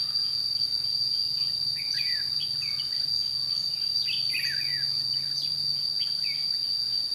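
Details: At a Chua Huong trapping site on 22 June 2016, a red-whiskered bulbul sings lively warbling phrases and quick downward slurs, mixed with other chirps and a steady, piercing insect buzz.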